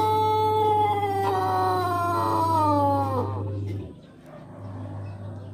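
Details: Long drawn-out crow of a Pelung chicken from Indonesia, an ornamental rather than fighting breed known for its distinctive voice: a rich harmonic tone held for almost four seconds that wavers and then slides downward at the end, over a steady low hum.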